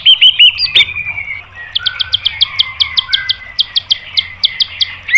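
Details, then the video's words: White-rumped shama singing to provoke other birds into replying: a few opening whistles and a sharp click, then a long run of evenly spaced high chipping notes over soft lower tones. "MASTERAN MURAI BATU memancing EMOSI JADI NYAUT"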